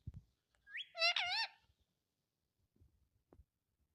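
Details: Pet parrot imitating human speech, saying "mummy": a single clear, wavering, nasal phrase with a rising start, followed by faint rustles and quiet background.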